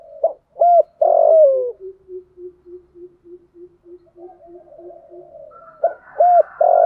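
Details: Decoy spotted dove in 'thổ sấm' voice, for rainy-season luring of wild doves: one full coo phrase ending in a falling drawn note, then a long run of quick, soft, low pulsed notes, and a new phrase starting.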